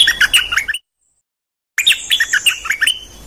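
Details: Decoy bulbul, one of three, delivering quick bubbling chirped phrases that rise and fall, broken by a short silence before another burst of lively warbled notes.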